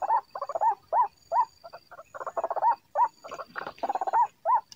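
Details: White-breasted waterhen call used as a trapping lure: loud, rapid croaking bursts, alternating single hoarse notes with quick stuttering runs of shorter notes, very busy and uneven.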